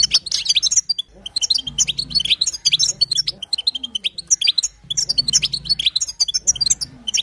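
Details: Female goldfinch betbeta calls, used to encourage a male goldfinch to sing. High, scratchy twittering arrives in repeated bursts of about two seconds, separated by short quiet gaps, with a low background hum.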